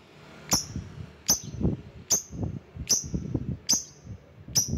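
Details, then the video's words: Lovebird calling rivals: six piercing, high, thin chirps spaced about every 0.8 seconds, with low knocking and rustling sounds between them. "Burung LOVEBIRD Ampuh memanggil lawan"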